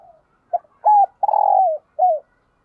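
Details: Spotted dove decoy cooing on a morning to call in wild birds. The tail of a coo, then a phrase of a short note, a steady coo, a drawn-out trilling croo falling in pitch, and a last brief coo.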